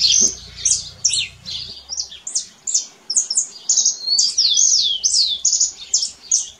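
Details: Canary song outdoors in nature, a fast stream of clear whistled notes and sweeping trills, about two to three notes a second, rising and falling quickly; low rumble briefly at the start.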